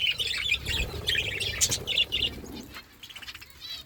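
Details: Eating budgerigars giving quick, repeated high chirps and warbles for about two seconds, then softer twittering and faint clicks as the chatter fades.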